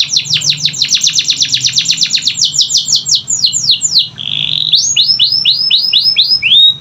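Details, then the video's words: Canary song used as a prompt for canaries that will not sing: a long rapid trill of descending strokes shifting into slower falling whistles, a brief buzzy note, then evenly spaced downward sweeps. "Pancingan Kenari Malas Bunyi‼️Dengar Langsung Nyaut Gacor Dor"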